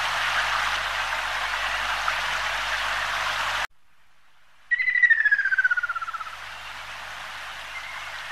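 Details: Ruddy kingfisher calling: one falling, rapidly trilled whistle lasting about a second and a half, after a stretch of loud broadband hiss and a brief silence.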